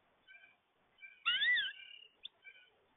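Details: American goldfinch calling: short nasal, harmonic-rich notes, then a louder drawn-out wavering note that rises and falls, followed by a brief sharp chip and more short nasal notes; quiet background.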